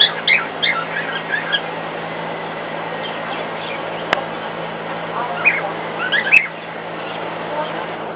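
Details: Cockatiel singing to a hairdryer operating in the next room: a short run of whistled chirps opens, a brief quieter spell follows, then a few more bright notes over a broad whooshing background.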